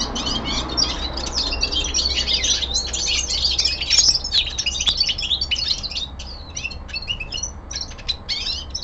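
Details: Common linnet, a young male kept at home, delivering a long, fast twittering song of high chirps and buzzy trills, dense at first, then thinning into quick separate notes.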